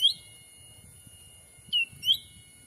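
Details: Wild-bird lure call of a black-capped bulbul, forest in Sumatra: a short chirp, then after a pause a pair of clear whistled notes, the second sweeping upward, with low rustling underneath.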